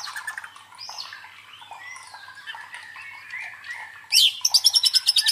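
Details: Murai batu, the white-rumped shama, in a provoking song for training fighter birds: soft sliding whistles and rambling warbles, ending in a loud rapid series of high trilled notes.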